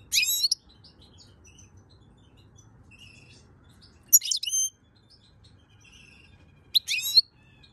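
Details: European goldfinch song recorded in May 2022: three short, sharp bursts of high, tinkling chirps about three seconds apart, with soft, distant twittering between them.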